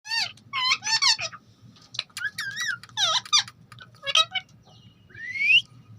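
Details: Pet ringneck parrot talking: rapid squeaky, wavering syllables in short bursts, one rising whistled slur near the end.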